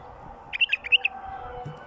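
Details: A wild bulbul gives a quick phrase of four bright, liquid whistled notes in about half a second, against a faint steady background hum.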